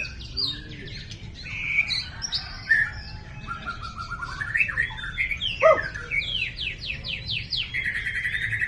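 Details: Champion white-rumped shama singing loud, varied phrases: clear whistles, rapid chattering runs and a series of quick descending buzzy notes near the end, over a faint low rumble.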